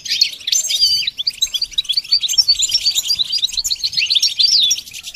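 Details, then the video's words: Goldfinch singing a dense, scratchy twitter with sweeping slurred notes and fast chattering runs, with hardly a break. "training the goldfinch to sing"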